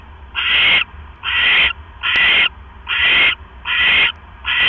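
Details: Owl at a live-streamed nest, evening of 18 October 2015, during prey delivery of a rat from the male. Six hoarse screeches repeat at an even rhythm, each about half a second long.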